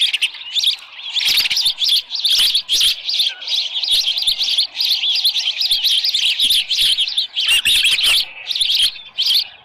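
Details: Osprey at its nest on the morning of July 24, 2018, with a headless fish: almost nonstop shrill, rapid whistled chirping in long pulsing runs with brief pauses and soft thumps.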